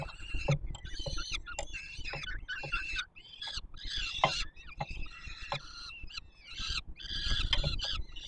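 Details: Peregrine falcon chicks begging as an adult male feeds them at a nest on the Palace of Culture and Science, Warsaw, Poland, 7 July 2022: harsh, wheezy, harmonic screeches in rapid overlapping bursts, with low rumbling background noise.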